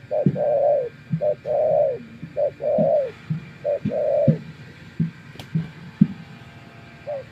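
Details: A wild spotted dove answers a decoy in a series of two-part coos, short note then longer warm note, about four pairs, followed by scattered low taps and clicks.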